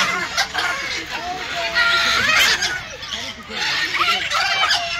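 Harsh, raspy macaw squawks and screeches in overlapping bursts, with some talking-like sounds mixed in.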